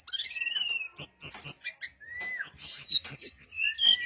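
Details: Song of a brown-chested jungle flycatcher used to lure other birds to answer: a long gliding whistle opening, spaced triple high notes, then a lively run of varied whistles and a closing slurred whistle.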